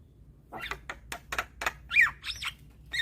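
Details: Lure recording of a young, persistently singing Javan myna that nods as it sings: a string of rasping clicks and scratchy notes leading into two loud slurred squawking whistles.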